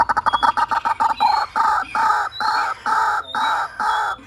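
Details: White-breasted waterhen call used as a decoy lure sound: a fast stuttering burst of short harsh notes that settles into loud, nasal, croaking notes repeated roughly every half second.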